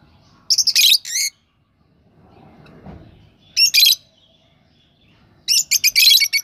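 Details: Fischer's lovebirds during breeding season at Parbhani in 2024, giving short bursts of shrill, squeaky chatter separated by pauses. A closing cluster of rapid high notes is heard, with a faint rustle between the bursts.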